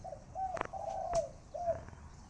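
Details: A kept spotted dove, the owner's main decoy bird, cooing in the khan yon style on an overcast Saturday morning. It gives a low, drawn-out, steady-pitched coo, then a shorter coo, with sharp clicks and knocks overlapping.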